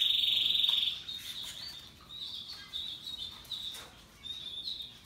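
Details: Russian yellow and Timbrado canaries singing: a loud rolling trill opens, followed by quieter high twittering phrases and short notes.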